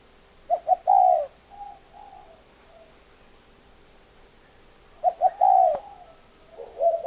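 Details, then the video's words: Spotted dove giving two bursts of low cooing: short clipped notes leading into a longer falling coo, separated by a few seconds of quiet with faint softer coos between. "Tổng hợp tiếng chim cu gáy"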